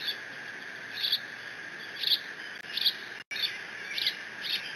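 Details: Lone bald eagle eaglet on the Decorah nest mantling its father's delivered fish and squeeing in case siblings return: brief high-pitched squeaks repeated roughly every second, with a brief dropout midway, against steady hiss.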